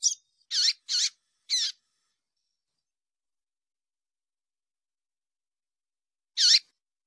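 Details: A female Double-collared seedeater gives calls that warm up males to sing: a run of five sharp high chips about half a second apart, then silence and a single final chip.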